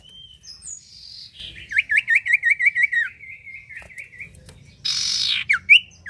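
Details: Common iora singing loudly as a lure for other birds: a rapid wavering trill of whistled notes, a few separate whistles, then a loud rasping burst and final sharp notes.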